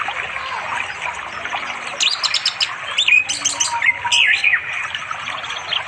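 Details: Orange-headed thrush in an East Java village forest, singing by a river in late afternoon to attract a female; mixed twittering and short whistled phrases in bursts, with steady stream noise underneath.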